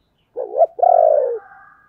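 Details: Spotted dove giving a 'chìm' lure coo, used to stir decoy doves: a short wavering coo, then a brief gap and a longer, steady, throaty coo that sinks in pitch at its end. The background is silent.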